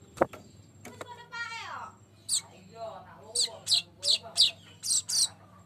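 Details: Golden-headed weaver, known locally as manyar, used as a lure song for training. It gives a series of short, harsh buzzy bursts repeated about every third of a second after a few soft clicks and a brief sweeping sound.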